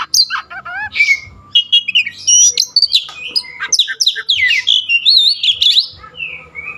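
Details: Oriental magpie-robin singing a rich, jumbled sequence of loud whistles, sharp chips and quick slurred notes, changing phrase after phrase with hardly a pause.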